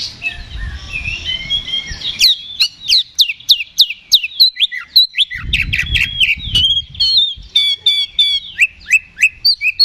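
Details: Oriental magpie-robin singing its ngeplong fighting song as a lure to rouse rivals. Continuous, varied outpouring of sharp chips, downslurred whistles and scratchy twitters, densely packed. A low rumble is heard midway.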